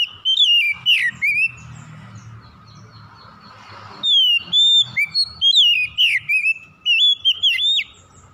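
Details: Oriental magpie-robin (kacer) song used to spur a quiet bird to sing: sweet whistled phrases with rising and falling slurs and sharp upsweeps, a short gap of soft murmur, then a fuller run of varied whistles.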